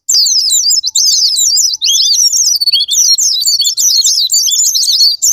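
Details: Japanese white-eye song used as a lure to set off singing in caged birds: a continuous, shrill warble of quick zigzag notes, with brief breaks about every second before the chatter resumes.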